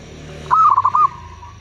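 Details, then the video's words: Zebra dove, local bird, singing a lure song to attract wild doves. One loud phrase of quick stuttering coo pulses trails into a level tone over a noisy, rumbling background. "Perkutut lokal gacor suara bagus - pancingan perkutut paling jitu"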